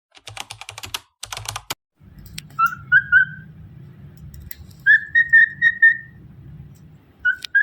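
Cockatiel giving clear, slightly warbling whistled notes in short repeated runs after some clicking sounds.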